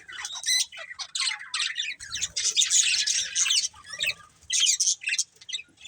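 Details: Colourful budgerigars of a breeding pair give bursts of sharp chirps and scratchy squawks, clustered into short busy runs separated by brief quiet gaps.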